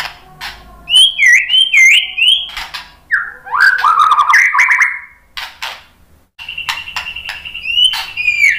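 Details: A white-rumped shama, or murai batu, sings looping whistled notes and rapid falling slurs, with harsh ticks, a pause, then a steady stretch of high notes; played as a lure to trigger other birds into song.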